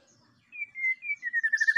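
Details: White-rumped shama song played as a lure for other birds: one long clear whistle sliding slightly downward, breaking into rapid pulsing at the end.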